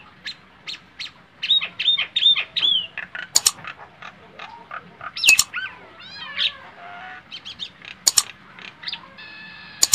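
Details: Nias hill myna singing a varied run of loud whistled notes, some level and some sweeping up or down, mixed with harsh squawks and short buzzy bursts, delivered in quick uneven phrases with brief pauses between them.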